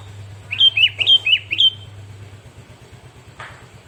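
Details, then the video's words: Sooty-headed bulbul (kutilang), tutored with song recordings, gives a rapid run of six bright whistled notes, each dipping and rising, lasting about a second, followed by quiet with a low steady hum. "kutilang Fariasi ribut!!! setelah di masterin burung kutilang ini!?"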